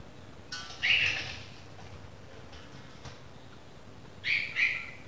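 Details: Newly fledged Red-vented Bulbul chick giving short, harsh, high-pitched begging calls, a pair near the start and another pair near the end, with quiet background noise.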